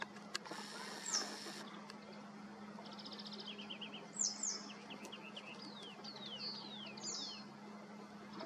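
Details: Western yellow wagtail in Galicia, Spain: thin high chirps and several sharp, descending slurred calls, mixed with brief twittering notes, over a steady low hum in the background.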